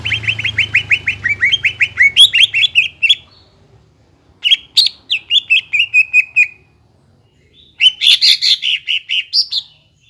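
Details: Greater green leafbird song meant to provoke a non-singing bird: three bursts of rapid chirping notes separated by short pauses, the first quick and even, the later ones richer, warbling and higher.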